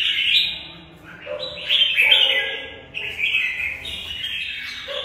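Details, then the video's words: Caged red-whiskered bulbul fighting song, tumbling warbled phrases with a lower fluty note below the main chatter, delivered in two or three short bursts. "Xem chào mào Mộc bộ vip đấu tốt mãn nhãn người xem"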